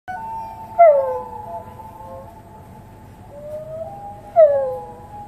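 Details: Common loon calling: a long, steady, mournful howl-like tone held throughout, broken by two loud cries that slide sharply downward, about three and a half seconds apart.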